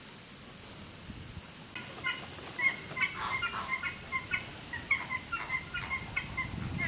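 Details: Greylag geese at Osaki Park Children's Zoo in Saitama, Japan, on 21 July 2018, giving rapid bursts of short, nasal, harmonic notes in a gabbling chatter, over a steady loud high-pitched hiss.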